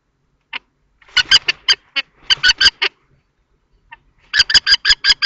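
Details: During a fight between two male common kestrels over a nest box in Théding, 20 March 2024, clipped, harsh notes come in clusters separated by pauses, ending in a fast series of six.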